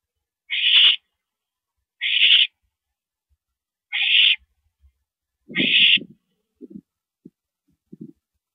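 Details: Owl at a mouse delivery, 9:17 PM on 13 April 2012, uttering four harsh hissing screeches spaced about one and a half seconds apart, followed by low rustling and knocking sounds.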